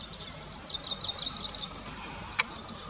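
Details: In roadside scrub, a Grey-breasted Prinia produces a rapid string of high, thin, slightly descending notes for about one and a half seconds, followed by a single sharp click and steady faint background noise.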